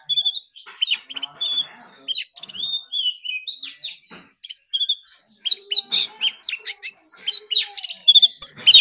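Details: Oriental magpie-robin singing hard in a singing contest, repeated high whistled notes, sharp chips and short slurred phrases in quick succession, roughly four notes a second with a brief pause midway.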